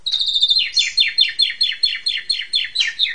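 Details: Asian pied starling song played as a therapy recording to train caged songbirds: a rapid series of descending, slurred chattering notes repeated more than twice a second after a brief high whistle.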